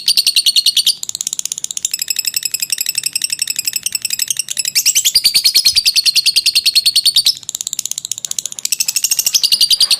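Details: Long ngekek trill from a lovebird, used for training: rapid scratchy high chatter in sustained bouts, broken by two short pauses before restarting strongly.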